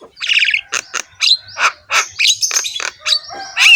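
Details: Javan myna used as a training master for caged birds, singing coarse, rasping notes in short bursts about every third of a second, with scratchy chatter ending on a sharp high whistle.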